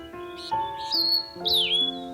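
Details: A Taiwan-endemic Steere's Liocichla, which calls daily before dawn in mid-elevation forest, gives two high, clear whistles, the second slurring down, about half a second apart over steady background music.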